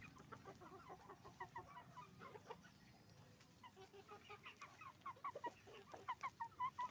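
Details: Chicken farm chorus of roosters and hens, rhythmic pulsing clucks that grow louder and more regular toward the end, with higher squeaky notes among them.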